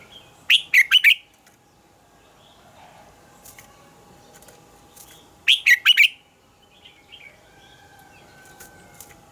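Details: Red-whiskered bulbul singing its morning song, called a mature wild-forest double-note style. Two energetic phrases of four quick, rising-falling warbles come five seconds apart, with faint chirps and a low steady hum between them.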